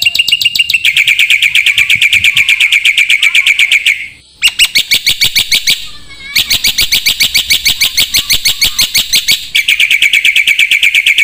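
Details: Black-winged myna singing on a songbird training recording: long, dense bursts of rapid, rattling chirps that run almost without break, interrupted by two brief pauses.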